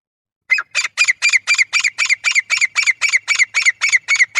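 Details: Male grey francolin call for hunting: after a brief pause, a rapid, regular series of about fifteen loud, ringing harsh notes, almost four per second.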